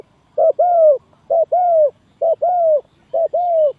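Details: Used to lure doves into a trap, a spotted dove repeats a clean two-part phrase four times: a short clipped coo, then a longer falling coo, evenly spaced about once a second.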